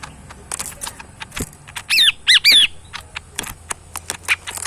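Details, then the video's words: Tame caged cucak mini bulbul, kept as a pet and fed banana, chicken feed and crickets, gives three loud, bright warbled phrases with sliding whistles, set among sharp rapid clicks and quieter chips. "burung cucak mini gacor full yang terbaik"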